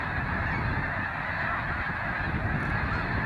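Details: At sunrise on 26 April in Canada, large numbers of Snow Geese leave the water for the fields to feed; a steady chorus of many honking birds with deep background rumble.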